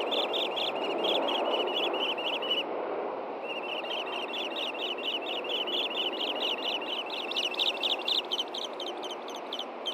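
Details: Montana ospreys at a Hellgate Canyon nest, June 6, 2014, during a morning fish delivery. Long sequence of high whistled chirps, briefly broken, then a steady fast run of piercing notes quickening toward the end, over wind-like rushing.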